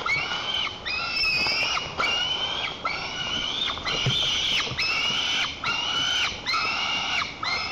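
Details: White-tailed eaglet in its nest in Lower Kama National Park, Tatarstan, 21 July 2023, throwing a tantrum, jumping and flapping to guard the nest from its mother on a branch: about eight harsh, harmonic screams, each roughly 0.7 s, slightly rising then dropping at the end.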